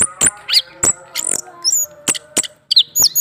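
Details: Caged male orange-headed thrush provoked by a female under his cage, giving scattered sharp clicks, brief high whistles and a short buzzy note, with small gaps between the notes.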